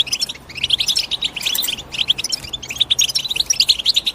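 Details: Quick high European goldfinch chirps rattling in bursts separated by tiny gaps, the notes bright and tinkling, with overlapping voices adding to the busy twitter.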